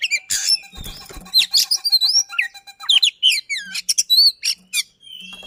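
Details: Dense, rapid Oriental magpie-robin song with rolling trills and emphatic 'shot' notes, used to coax a silent bird to sing: harsh burst at the start, then crowded whistled slurs, chips and short warbles.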